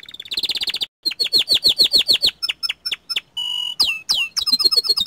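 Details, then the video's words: Young canary singing vigorously: a rapid buzzy roll, then a series of falling whistled notes about four per second, sharp chirps, a steady flat tone and high looping notes to close. "Kicauan Burung Kenari Muda Gacor Standart Kecil"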